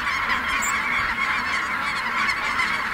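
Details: Snow geese taking off at Merced NWF, their many honking voices merged into one dense, even, high-pitched din.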